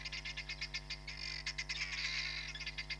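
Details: Hamerkop at Nkorho Bush Lodge, picked up by a live camera on 31 July 2021: rapid series of short, sharp, high nasal yips, some run together into a steady chatter, with a constant low hum underneath.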